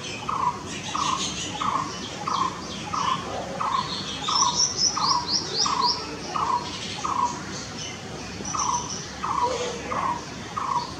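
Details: Blue-throated barbet giving a long series of throaty, rolling notes about every 0.6 seconds. Thin, high, sweeping chirps from another bird break in around the middle. Soft outdoor hiss throughout.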